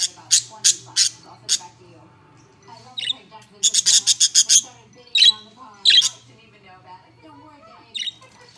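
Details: Two pet budgerigars chirping: bursts of sharp, bright chirps in quick runs of three to six notes, with softer warbled chatter between them and a low steady hum behind.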